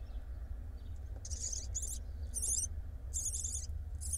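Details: Barn owl at an Israeli nest-box live camera on 29.3.21, as the first nestling has just hatched. Harsh, breathy hisses in bursts of about half a second, repeated five times over a steady low hum.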